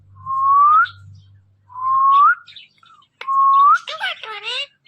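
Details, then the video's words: Talking parrot: three clear rising whistles, each sweeping upward over about half a second and spaced roughly 1.5 seconds apart, followed by a voice-like harmonic phrase. "Talking Parrot"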